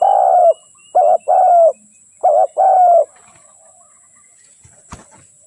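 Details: Spotted dove cooing: soft low hooted phrases in a quick sequence of short and drawn-out coos, ending after three seconds, followed by quiet background and a faint click.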